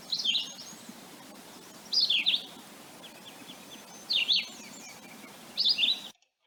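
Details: Philadelphia Vireo song played in an Ontario birding-by-ear quiz: short, choppy phrases of high slurred whistled notes, each about half a second, separated by pauses of one to two seconds, four phrases in all, with a faint low background hum.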